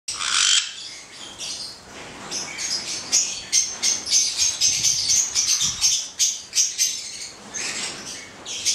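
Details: Pair of black-headed caiques giving rapid high chirps and short squawks, several notes a second, with bursts of harsher screeches.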